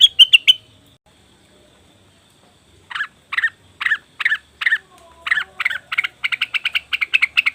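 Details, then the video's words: Leafbird lure recording: a quick burst of bright notes, over two seconds of silence, then harsh chattering calls repeated about twice a second, quickening into a rapid chatter at the end. "pancingan burung cucak wilis/rengganis dijamin langsung bunyi"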